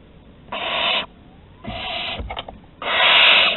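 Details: At a Théding barn owl nest on 15 August 2020, chicks call during prey deliveries at the entrance: three rasping hissed screeches, the last longest and loudest, with faint shuffling between them.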